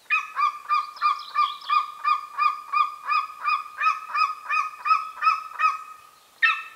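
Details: Golden eagle pair contact calling at a nest site in the Carpathian mountains, Northern Romania; a long, evenly spaced run of loud clipped yelps, roughly three per second, then a brief pause and one final note.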